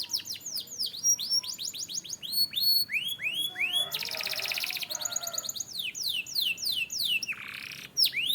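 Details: Canary training song: loud, continuous chains of fast downward-sweeping whistles, a dense buzzy trill section, then more varied swooping notes and a low rasping burst, very high and energetic throughout.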